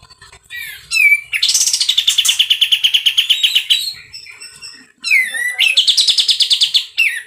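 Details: Sooty-headed bulbul, loud and harsh in full song: two long rasping buzzy trills of rapid pulses, each lasting about three seconds and introduced by short whistled slurs, with a brief quiet gap between them.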